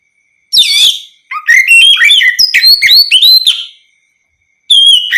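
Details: Song of an Oriental magpie-robin, ngeplong type, played so other magpie-robins answer; a swooping whistle, then a run of rapid looping whistled notes, a pause, and another clear whistle.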